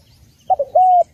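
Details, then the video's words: Spotted dove cooing, recorded cleanly for use as a lure or master call: two brief clipped notes followed by one long level coo ending in a slight drop. "Masteran Burung Tekukur / Derkuku dengan Suara Jernih Cocok juga untuk Pikat"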